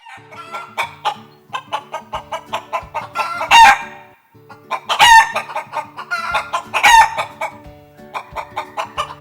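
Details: A domestic hen (Gallus gallus domesticus) clucks in a quick series of short, throaty notes, broken by a few louder drawn-out squawks.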